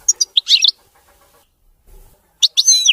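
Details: European goldfinch song, clean and error-free: a short burst of jumbled, chirping twitters, a near-silent pause of about two seconds, then another tumbling twittered phrase.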